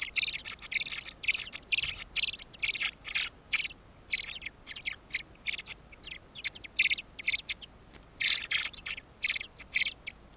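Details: Fieldfare, a black-breasted adult carrying food for its young, perched on a column on Ryazhkov island, 16 June 2014: harsh, dry chattering chack notes in rapid bursts, about one per second, some in quick clusters.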